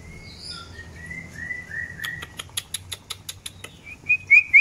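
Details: Long-tailed white-rumped shama being paired for breeding: several smooth, level whistled notes, then a run of sharp dry clicks, ending in bright upward-slurred whistles.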